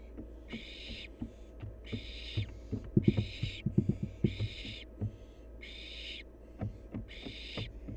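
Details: Young wild barn owl at play gives rough screeching hisses roughly once a second, with a flurry of taps and scratching thumps in the middle.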